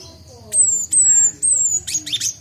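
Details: Cinereous tit, a young bird learning its song, just beginning the ngombyok style: three long, clear, high whistles, each sliding slightly downward, then a quick run of rough, buzzy, chattering notes, with faint room noise.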